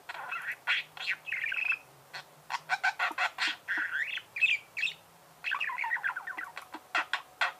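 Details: Caged pet budgerigar in steady chatter, sharp clicks alternating with short rising and falling warbles, a brief lull near the middle before the chattering resumes.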